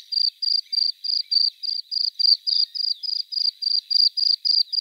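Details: Bluethroat song phrase of metallic, buzzy high notes repeated steadily about three to four times per second in an even, insect-like series.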